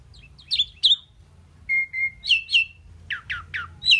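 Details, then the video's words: A talking Indian pied myna that can say "Mynah" gives scattered sharp chirps, then a steady mid-pitched whistle, followed by a string of rough, descending buzzy notes at regular intervals. Quiet hum in the background. "Amazing Talking Indian Pied Mynah Bird"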